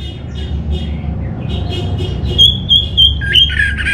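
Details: A captive orange-headed thrush (Geokichla citrina) in North Bali, Singaraja, sings a varied phrase of harsh, squeaky notes, then a sustained high whistle with quick trills, over a steady low rumble; used as a lure recording. Finding: Orange-headed thrush.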